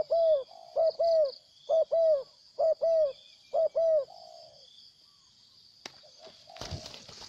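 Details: Wild spotted dove: five rhythmic paired coos, a clipped note then a longer falling coo, about one phrase per second. The calling stops, followed by quiet, a click and a burst of rustling noise, with insects droning throughout.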